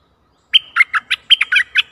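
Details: Decoy bulbul used to lure a very old wild bird, recorded 11 August 2021: a quick phrase of about eight loud, clipped whistled notes with bubbly, warbling inflections, bursting after brief silence.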